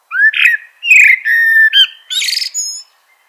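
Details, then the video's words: Common blackbird delivering a full song phrase: mellow fluted notes, a long steady whistle, a brief upslurred note, then a loud, squeaky high-pitched twittering flourish. "Bird Natural Sound.Common Blackbird"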